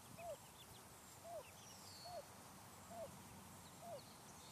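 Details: Wild turkey hen with new chicks on a residential street, after warning them of danger in the sky and then signalling all clear. Five soft, downslurred, clear notes about a second apart, over faint background hiss.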